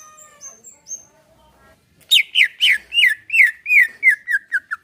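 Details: Greater green leafbird relaxed-style song, used to coax a caged bird: soft high thin tones at the start, then an energetic series of loud, downward-slurred whistles repeated about twice a second.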